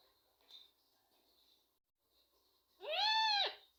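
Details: Rose-ringed parakeet kept as a pet and taught to say names, uttering a single arched, nasal call near the end after faint background noises.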